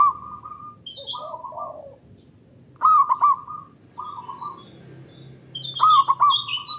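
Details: Local zebra dove with a loud, long voice, used as a lure to stimulate other doves. Level held notes alternate with wavering, bouncing coo phrases about every three seconds, with high chirps mixed in.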